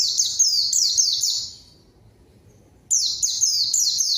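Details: White-eye lure song meant to draw a rival and spur quiet birds to sing; a rapid chain of thin, high, falling slurred notes, a second of silence, then the chattering run resumes.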